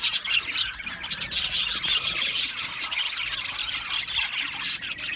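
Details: Many budgerigars in an aviary colony chirping at once, shrill squeaky warbling and chatter that rises and falls in loudness but never stops.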